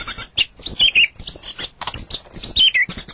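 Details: White-rumped shama singing a rapid, varied song of high whistled and chattering phrases, notes sliding up and down with short trills, delivered almost without pause.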